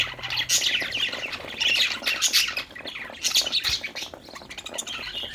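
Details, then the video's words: Several budgerigars chirp happily while playing, a lively mix of warbled chatter, squawks and clicks that fades slightly toward the end. "budgie chirping sounds|happy budgies playing|cute budgie sound"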